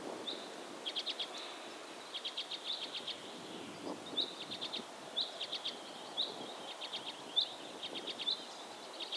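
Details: Tree pipit singing near a river in a forest in Norway on a warm afternoon: short bursts of rapid, repeated high notes in quick trills, phrases recurring every second or so, over soft outdoor rustle.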